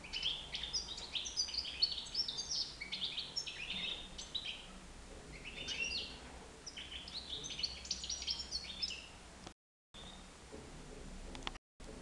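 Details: Nine-month-old European goldfinch flying free indoors in a living room; a rapid twittering run of short high chirps and buzzy notes for about nine seconds, then quieter with brief gaps, over faint low room hum.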